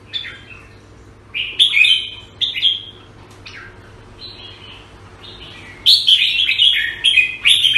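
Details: In Singapore, a red-whiskered bulbul (jambul) sings short bubbly whistled phrases in bursts, a pause of quiet, then a louder lively warbled sequence near the end, over a low electrical hum.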